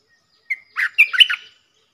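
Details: A wild bulbul (cream-vented, Pycnonotus simplex) gives one brief bubbly phrase: a clear note then a quick tumble of mellow, chortling notes lasting about a second, in a quiet background; it answers a caged decoy but won't approach.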